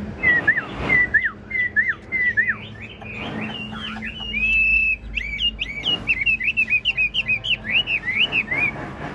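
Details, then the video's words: Kept hwamei of large build, singing the long 'ngũ trường' style with nodding 'lion dance' display. It gives repeated down-slurred whistles, one long steady whistled note, then fast rising and falling looping phrases. "Họa mi ngũ trường bộ to hót gật gù múa lân"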